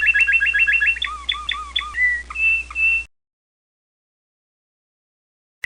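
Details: Canary of the American Singer breed delivers a rapid chipping trill, bouncing whistled phrases over lower swooping notes, then drawn-out clear whistles, before falling silent for the last half.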